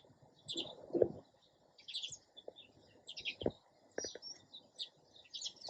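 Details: Sparrow chirping in short bright bursts every second or so, scattered high notes between sharp knocking thumps.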